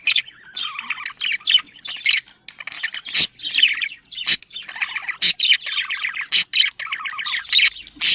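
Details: Budgerigars kept as pets, sound intended to excite them into breeding; lively twittering chatter with rising and falling whistled phrases, interrupted roughly every second by sharp, explosive screeches.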